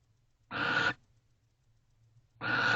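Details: Two wild barn owls keep close in a nest box at 3:19 am, 29 November 2023, touching bills. Two breathy, rasping hisses of about half a second each are separated by nearly two seconds of quiet.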